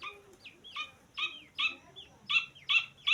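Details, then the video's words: Grey francolin chick calling: loud, high, downward-slurred peeps repeated about every half second, each sharp and ringing, over a quiet background. "तीतर का बच्चा आवाज़"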